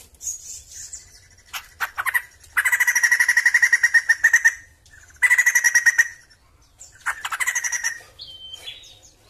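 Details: Sumatran laughingthrush in song, mixing sharp isolated notes with two loud rattling bursts of quick repeated notes, followed by softer chatter and a thin whistled ending.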